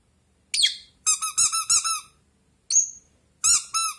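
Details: Blue pet rosy-faced lovebird chatting with a toy duck: a thin squeak, then a quick run of four or five shrill, buzzy chirps, another squeak, and two more chirps, in a quiet room.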